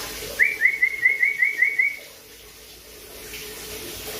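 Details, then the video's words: Black-capped lory from Papua giving a quick run of about nine short, clear whistled notes, each sliding upward, packed into under two seconds before falling quiet, with faint indoor background hiss. "Burung nuri kepala hitam asli papua"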